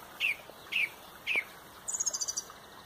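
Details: At sunrise in Pontrobert, a song thrush leads the dawn chorus with three clear down-slurred whistles, then a quick high stuttering trill of about seven notes.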